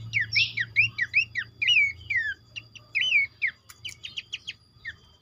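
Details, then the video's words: Lure material of Horsfield's babbler amid a crowded mix of birds: sweet looping whistles and falling slurs tumble quickly, broken by sharp stacked chirps and one bright click, with a steady low hum underneath. "memancing bunyi pelanduk semak bahan ombyokan"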